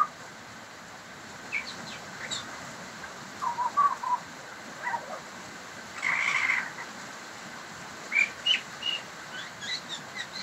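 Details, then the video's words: Pied butcherbird singing: scattered clear whistled notes around one to two kilohertz-range pitch, some in short pairs, a louder broader burst near the middle, then brisk repeated higher whistles toward the end, over steady background hiss. "Pied Butcherbird singing"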